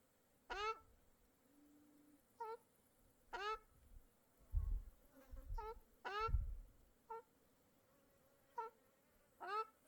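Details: Birds by a small Mongolian lake give a series of harmonic mewing calls, some long and falling, others short and clipped, spaced irregularly and interspersed with low thumping rumbles.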